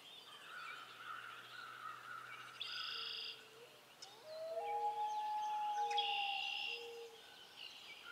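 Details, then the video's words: Common loon calling: several short, low, mellow hooting notes, then a long pure whistled wail that slides up slightly and holds steady for about two seconds, with other songbirds chirping high in the background. "Common Loon"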